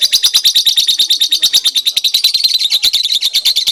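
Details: Singing lovebird that nods its head as it sings, used for training: continuous high, sharp chattering chirps about three per second, uneven in rhythm and loud throughout.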